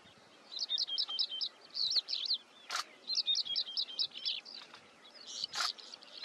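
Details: Chestnut-bellied sandgrouse (Pterocles exustus), an adult male with small, well-camouflaged chicks, at the outskirts of Bhigwan Kumbhargaon Bird Sanctuary, Pune, Maharashtra, on 13 June 2022. High, thin chirps come in quick runs of about five per second, twice over, broken by sharp scratchy bursts.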